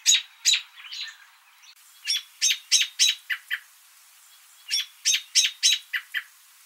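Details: American robin giving bursts of sharp, clipped notes, fired in quick runs of four to six with short silent gaps between runs.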